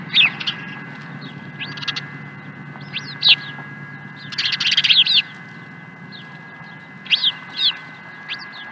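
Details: Osprey at Dunrovin Ranch, 16 April 2020: a series of slurred whistled chirps, breaking midway into a quick, dense chattering burst, then more spaced whistles.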